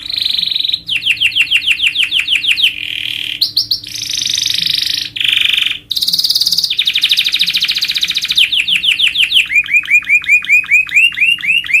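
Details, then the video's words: Canary master song for teaching other birds: a varied sequence of fast trills, repeated sweeping notes and dense buzzy rolls that change tour every second or so, ending in a bouncing series of rising notes. "Masteran suara burung kenari paling dicari juri"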